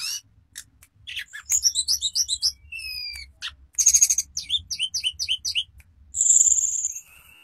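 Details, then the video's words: Sulingan bird singing its varied repertoire in fluting 'nyuling' manner: scattered high whistles, a run of rising chirp notes, long drawn-out whistled tones and a buzzy trill, with short quiet gaps between phrases. "Burung Tledekan Gacor Suara Nyuling Muntahin Isian FULL"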